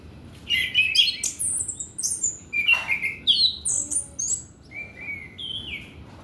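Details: Orange-headed thrush song used as a lure to train young males: varied rich phrases of whistles, slurred notes and buzzy chirps in bursts, rising and falling, ending with two drawn-out whistled notes.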